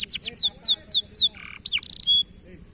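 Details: Local canary singing, recorded to train birds: loud descending whistled slurs in quick succession, then a low buzzy note, a short rapid trill and a drawn-out high whistle.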